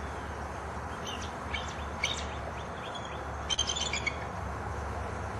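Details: Bald Eagle of a nesting pair in the Florida Everglades, around the nest and mating trees, giving thin, high piping notes in two quick chittering bursts, some sliding up or down, over a steady low rumble of wind.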